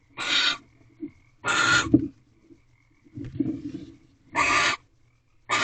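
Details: Wild barn owls in a nest box at night during egg laying, as the male visits, mates and hands over a rabbit. Broad, hoarse screeches come at uneven gaps, mixed with lower grunting rasps.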